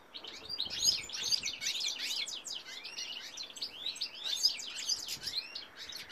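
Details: A goldfinch cock sings in 2018, pouring out a dense, rambling stream of high chirps, rapid trills and slurred twitters that swell and fade over several seconds.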